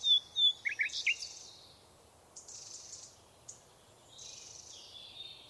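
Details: Birds in a forest: a brief burst of sharp, high chirps at the start, then faint, scattered, hissing twitters in a quiet background.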